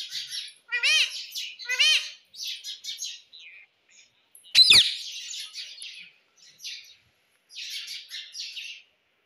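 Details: Pet rose-ringed parakeet, ring-neck type, being trained to talk and to say 'mummy'. Bright high chirps and short warbled bursts surround two voice-like rising-falling syllables near the start. A sharp, loud screech comes midway, then more scattered chirping.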